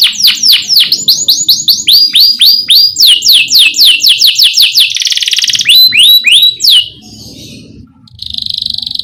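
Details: Energetic canary song, used to prompt young canaries to sing: a long series of repeated sweeping notes, then a buzzy roll, more sweeps and a brief quieter spell before the trill resumes.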